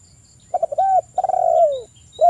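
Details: Close Spotted dove song used to lure other doves into singing: fluttering short notes lead into a rounded coo, then a long, gradually falling coo, and a final short coo begins.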